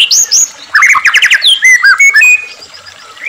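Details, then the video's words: Brief white-rumped shama phrase for provoking caged birds to sing: high rising whistles, a quick stuttered trill, then a few slurred notes trailing off. "murai batu gacor AMPUH buat PANCINGAN murai agar RAJIN bunyi"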